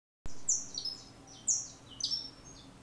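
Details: Saffron finch from Brazil, known locally as canario da terra, singing a clear sequence of high, sharp downslurred chirps in two loose phrases, each note bright and brief, over faint low background hum.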